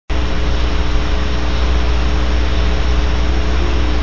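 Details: A loud, steady broadband roar like engine or aircraft noise, with a low hum and no animal voice.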